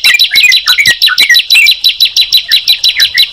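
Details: Sunda pied chat with yellow-vented bulbul: rhythmic bright chirps, about three per second, each note sliding downward, fairly regular and loud.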